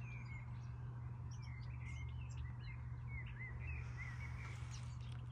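A common blackbird sings soft, fluty warbled phrases in a quick run, faint under a steady deep hum.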